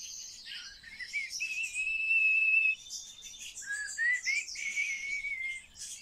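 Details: Common starling being trained to talk gives loud drawn-out whistles, one held steady for over a second, then slurred rising and falling whistles mixed with crackling, buzzy chatter.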